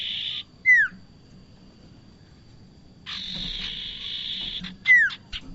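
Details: Trapping lure of a bar-winged prinia: short buzz and a single falling whistle, a pause, then a long grating buzz ending in a second descending whistle and clicks.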